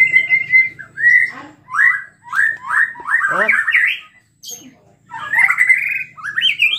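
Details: White-rumped shama in lively song meant to provoke other shamas: clear whistled notes and upslurred phrases, a falling cascade midway, brief silence, then rising wavering whistles over a faint hum.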